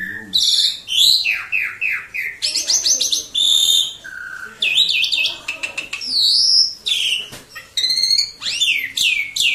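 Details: Asian pied starling kept as a pet, singing busily when guests, particularly strangers, turn up; a long varied run of harsh chatters, sweeping whistles and clicking bursts in quick phrases, with faint speech behind.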